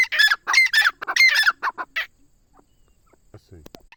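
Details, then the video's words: Grey francolin from D.G.K, Pakistan, giving a short burst of harsh, grating notes over two seconds, then falling silent while faint handling noises and rustling follow. "teetar ke VIP boli | teetar sound PK of D.G.K | teetar ke masti | bhory teetar ke awaz"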